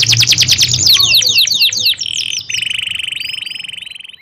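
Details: Singing canary (kenari): quick run of high chirps, then a long even buzzy trill held for about two seconds, fading gradually, with low hum early on.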